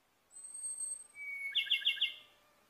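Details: Okinawa-endemic Ryukyu robin, a threatened Japanese species, opens with a very high sustained whistle, then bursts into a fast, pulsing trill of four or five rolled notes, clean against near silence.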